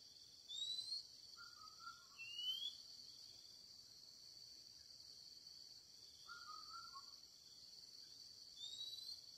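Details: Young red junglefowl decoy cock used in a wild-chicken trap, crowing twice, about five seconds apart: short stepped, broken mid-pitched phrases. A loud, steady cricket drone runs throughout, and thin rising whistles from other birds sound in between.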